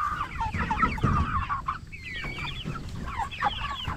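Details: A flock of 44-day-old Cornish Cross broilers raised for meat keeps up busy chirping, quick clustered peeps about four per second, with one longer clear whistled note partway through over low shuffling noise.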